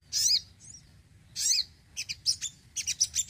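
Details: Sogon kept at home, singing actively: sharp high chirps and short rising-falling whistled notes in bursts, ending in a string of quick separate tweets.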